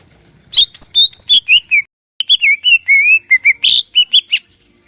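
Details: Crest-raised greater green leafbird in lively morning song meant to spur other birds to sing, pouring out rapid whistled slurs and varied bright notes, a short silent break, then a rising harsh burst among fluid phrases.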